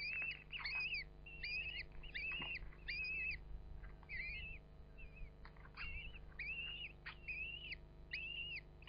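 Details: Common kestrel at a nest in a ventilation hole of a traditional field barn above Hubberholme, Langstrothdale, Yorkshire Dales: repeated arched, slurred whining calls, roughly one a second, over a steady low hum.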